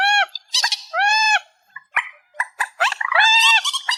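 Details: Amplified reed warbler song. It opens with loud, nasal, arched notes separated by pauses, then moves into quick clicks and a dense, grating chatter of varied syllables at the end.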